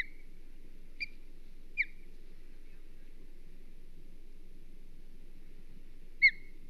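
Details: Osprey defending its nest at Hog Island, 22 May 2023: three short, sharp whistled chirps, each dropping in pitch, spaced far apart over a low steady background hum.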